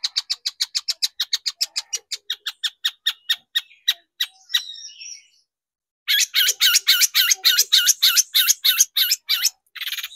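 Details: Long-tailed shrike lure recording meant to excite shrikes into singing: a fast run of sharp, high clicking notes, about three per second, then a pause and a louder burst of harsh, scratchy, rapidly repeated notes.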